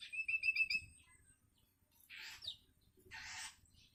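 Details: Young long-tailed shrike, hungry and learning to sing, begging from its parent: a quick run of about six clipped whistled notes, then two loud, scratchy, rasping bursts after a pause.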